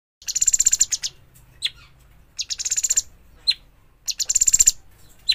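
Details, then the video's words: Juvenile bulbul, a young bird just out of the nest: three bursts of rapid, rattling high chirps about every two seconds, each followed by a sharp single chip, over a quiet low hum. "burung cucak cungkok trotolan"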